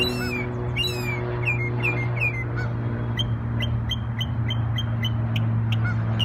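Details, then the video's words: Singing bird in New York on Memorial Day: a few slurred, falling whistles, then a long run of short, evenly spaced high chips repeated about twice a second, over a strong low hum. "NY Bird Sings Beautiful Songs on Memorial Day"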